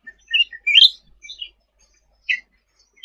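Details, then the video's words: Sooty-headed bulbul in full, vigorous song for tutoring: a short sequence of sharp chirps, one louder burst near the start, then a lone chirp and silence before a final note. "Suara Cucak Ranting Gacor untuk Masteran ll Suara burung cucak rante"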